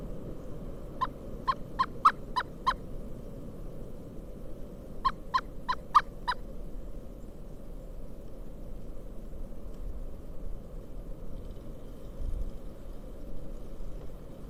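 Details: December 2022 snow storm in Kalamazoo, Michigan, with a pileated woodpecker giving two short bursts of five and four loud, clipped notes separated by a few seconds, then falling quiet while low wind noise continues.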